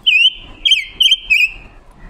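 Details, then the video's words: Red-billed leiothrix lure song from a female decoy bird of forest origin. It sings sweet, rich, slightly trilled whistles on one high pitch in four quick bursts within two seconds, over a quiet background. "Ngũ sắc mồi già rừng hót hay, ngũ sắc mồi luyện giọng hót của chim già rừng ngũ sắc mái mồi"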